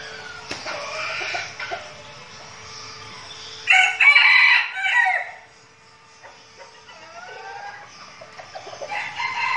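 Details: Red junglefowl decoy birds practising in Bình Phước province, Vietnam, ahead of forest outings; a single forceful crow of about a second and a half stands out midway, with softer crowing from other birds before and after.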